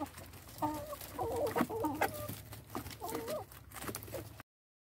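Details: Hens eating, giving soft, warbling clucks in short clustered bursts with brief drawn-out notes, over steady low background rumble and scattered pecking clicks.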